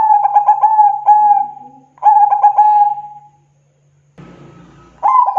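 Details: Zebra dove (perkutut), a local bird used as a lure, gives two loud phrases of quick repeated notes trailing into long level coos, followed by a brief rustling noise and the start of another phrase.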